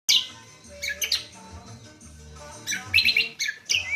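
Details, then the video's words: Cucak kombo, also called kacial lombok, singing actively as a lure recording for training cage birds: sharp high chirps and whistled notes in bursts, with a quiet low hum underneath. "pancingan cucak kombo gacor"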